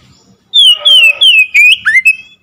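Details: Oriental magpie-robin song for triggering a silent bird to sing: three long descending whistles, then a sharp upward slur and a final level whistled note.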